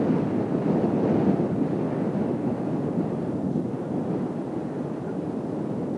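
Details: Steady low rumble of wind buffeting the microphone, possibly mixed with surf or engine noise, with no animal calls.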